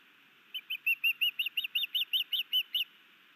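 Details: Wild male osprey on a nest cam at Hellgate Canyon, Missoula, Montana, 11 May 2019, afternoon, performing a sky dance and bringing a fish to his mate; a fast series of about thirteen high, clear whistled chirps, slightly rising, evenly spaced.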